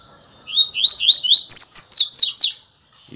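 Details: A captive Double-collared Seedeater, described as a "Puro Osso" song type, gives a rapid two-second phrase of about ten sweet, slurred whistles climbing higher toward the end, one of about 15 songs in two minutes; a faint voice follows.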